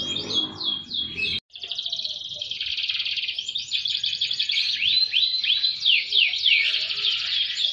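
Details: Canary delivering gacor song with melodious cengkok turns; after a brief cut near the start, a sustained high rolling trill runs on, dotted with quick falling whistled slurs.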